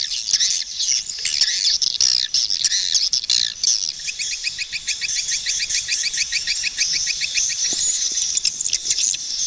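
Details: Swiftlets chattering in a dense, continuous high-pitched twitter, with a fast run of rapid repeated clicking chirps in the middle and a thinner trilling layer throughout.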